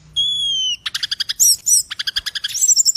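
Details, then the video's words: Cage bird song: a long, pure, slightly falling whistle, then a fast series of sharp repeated chips and twangy notes, ending in high thin whistles. "burung ini mewah suara nya"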